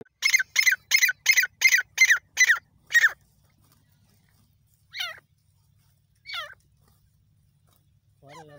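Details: Grey francolin in Ranthambore National Park, India, locally called safed teetar, gives a rapid series of eight loud, harsh, repeated notes about three a second, then a few slurred falling whistles, in open wilderness.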